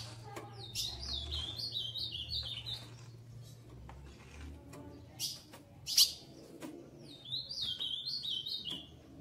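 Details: Female Ultramarine grosbeak, a kept bird, eagerly soliciting mating and ready to pair; two bursts of quick, high, descending chirped notes strung into short runs, separated by a quieter stretch with scattered clicks and faint background hum.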